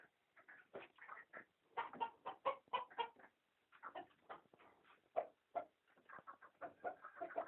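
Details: Country chickens giving dense, overlapping short clucks in quick irregular bursts with brief pauses, a steady busy farmyard chatter with no other sounds.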